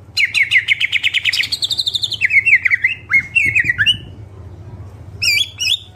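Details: Greater green leafbird singing energetically in full isian style: a fast rattling run of high notes, then slurred whistled phrases sliding downward and a brief high twittering ending, over a steady low hum.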